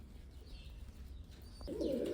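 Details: Old pigeons, eleven and eight years of age; after a quiet stretch, a low, throaty burbling coo starts late and runs to the end.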